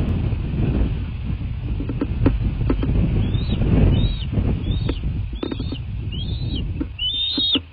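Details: Bald eagles at a nest in southwest Florida, 23 February 2024 at 23:17. A series of thin, high, arched whistled notes begins midway, roughly one per second, over a heavy low rumble of wind or handling noise.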